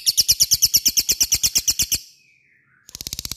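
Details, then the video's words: Lovebird ngekek played to stir fighter lovebirds into answering: a fast, high chattering trill for two seconds, a brief faint descending squeak during a short gap, then the rapid pulsed chatter starts again. "pancing LOVEBIRD supaya cepat ngekek fighter dan gacor"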